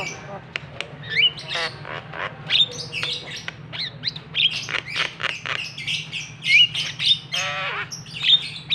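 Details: Javan myna; call; rousing other mynas to call back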